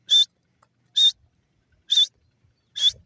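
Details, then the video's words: Female grey francolin, known locally as dakhni teetar, giving short, sharp, high-pitched notes repeated steadily about once a second, four calls in a row with little else audible. "female dakhni teeter ki awaaz,teeter bird sound"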